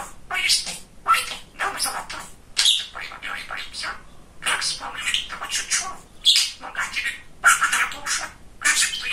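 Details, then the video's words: Domestic budgerigar, a talkative young male, babbling in clipped, scratchy phrases roughly once a second, with occasional bright squeaks among the mimicked words. "Разговорчивый Волнистый Попугайчик"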